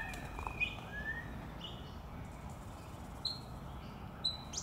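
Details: An Eastern Spinebill (Acanthorhynchus tenuirostris) at Maranoa Gardens, Melbourne, Australia, on 6 September 2021 gives a few brief, high, thin piping notes, spaced irregularly over several seconds, against a steady wash of wind or distant traffic noise.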